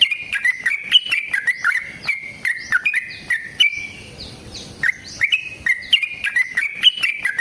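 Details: Sooty-headed bulbul delivering lively fighting song to coax other bulbuls into answering: steady bubbly whistled phrases with upward and downward slides, a one-second lull, then the phrases resume, accompanied by sharp ticking clicks.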